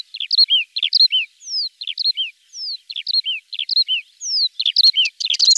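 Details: Common starling song built from repeated clusters of quick rising-and-falling whistled notes about once a second, broken by a few long falling whistles, ending in a busier crackling burst.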